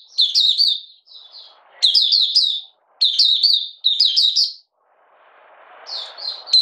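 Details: 'Buka sing' of a caged Malaysian mata puteh (Oriental white-eye), in minor moult and without form, 31 July 2023: short clusters of sharp, high, sliding chirps separated by gaps, with faint rustling noise between phrases.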